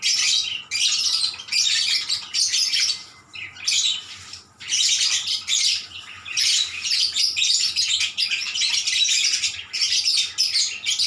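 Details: Long, lively exchange between lovebirds, high scratchy twittering and squeals in repeated bursts of one to two seconds, with a few clear pauses.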